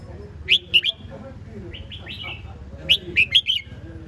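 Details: Red-whiskered bulbul repeating a cheerful phrase twice: two or three sharp whistled notes, then a softer slurred flourish, pitched fairly high and clear above a low background murmur.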